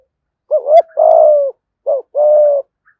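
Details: Decoy spotted dove in the 'giọng thổ' style gives a loud doubled coo and a long sustained coo, then a short coo and another held coo. The background is quiet.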